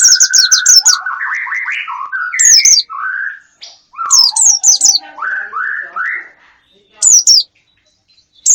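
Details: Wild-bird lure call: clear whistled notes sliding up and down in short steps, alternating with bursts of very high, rapid, sharp chirps, separated by brief silent pauses.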